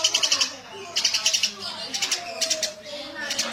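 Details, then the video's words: Eurasian tree sparrow in energetic gacor song, giving five quick bursts of bright, high chirps in close succession over a soft, lower warbling background. "Suara burung gereja gacor"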